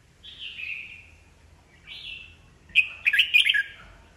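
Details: Caged old wild-caught red-whiskered bulbul, singing to goad rival birds into song contests; two drawn-out descending whistled phrases followed by a rapid, lively warbling burst of bright notes.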